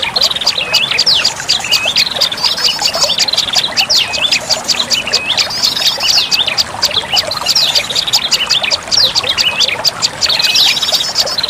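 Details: Olive-backed tailorbird lure recording: a thick, unbroken chorus of high sharp chips and short looping whistles layered together, with a faint low hum at one point.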